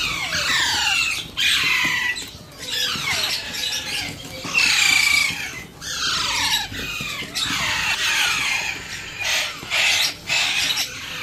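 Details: Alexandrine parakeet chick being hand-fed, repeating rough, rasping squawks roughly every three seconds, each burst sliding downward in pitch and separated by short gaps.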